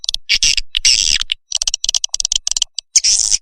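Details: Swiftlet lure call used to attract birds to swiftlet nest houses, known as SP Naga Merah: dense bursts of high buzzy chirps and rapid clicks, broken by short silences, in a small indoor space.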